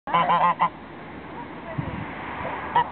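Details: Geese calling: a quick run of four loud, nasal, harmonic honks in the first moment, then a noisy pause and one more honk near the end.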